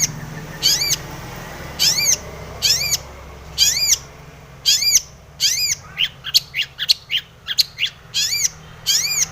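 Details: Long-tailed shrike song, used as a lure to make other shrikes sing. High, sharply rising-and-falling notes repeat about once a second, then speed up into a quick irregular run of similar notes before slowing again.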